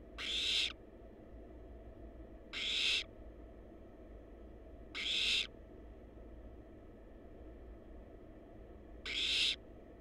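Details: Wild barn owl nestlings in a scientifically monitored nest box: four loud, harsh hissing bursts spaced two to three seconds apart, each short and noisy, over a constant low hum.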